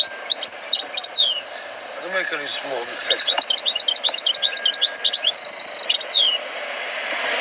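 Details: Trained European goldfinch in full song: bright twitters giving way to a long, even series of rapid repeated slurred notes, then a short flourish, over background noise.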